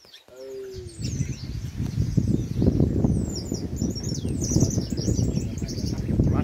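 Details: Chopi blackbirds singing in nature: high, thin whistled notes and quick sweeping chirps in overlapping bursts, over a heavy low rumble of wind or handling noise.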